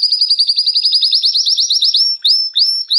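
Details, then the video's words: Canary song played to stimulate females for mating: a fast, even series of rising high whistled notes, about eight per second, then slower, separated upswept notes near the end. "تغريد كناري"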